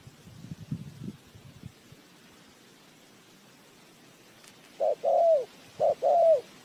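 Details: Spotted dove kept as a lure bird for trapping sings two loud, mellow coo phrases near the end, each a short note then a longer wavering one. Faint low rustling comes first, then a quiet pause.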